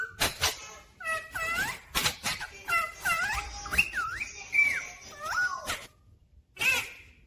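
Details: Talking Rose-ringed parakeet, a pet bird said to say 'mummy papa', gives clear harmonic, swooping word-like phrases with rising and falling loops and short harsh bursts, in bouts across seven seconds, with pauses in between.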